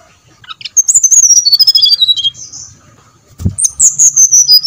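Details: Brown-chested jungle flycatcher song used as a lure to make kept birds sing: a rapid cascade of high, clear whistled notes stepping downward, a pause, then a second descending run.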